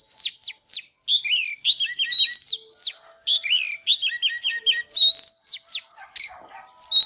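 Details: White-rumped shama singing and display dancing, greeting the new year 2022: a fast, varied run of clear whistles, sharp upslurred notes and rapid trilled phrases, bright and high, with short pauses between bursts.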